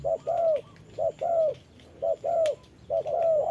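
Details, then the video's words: Spotted dove decoy in rain, answering a wild bird at a trap: repeated two-part phrases, a short coo then a longer curving one, roughly every second, clean over a quiet background with one sharp tap. "Bẫy chim cu gáy mồi đấu cùng bổi trời mưa"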